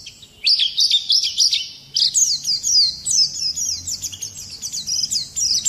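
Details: Oriental white-eye singing hard in a harsh rolling style meant to provoke rivals: a few sharp chirps, a brief break, then a fast, continuous twittering run of high sliding notes.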